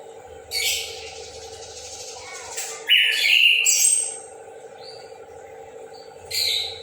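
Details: An orange-headed thrush sings in the morning, a long buzzy high phrase followed by clear whistled notes, then a pause and another short burst, over a steady hum.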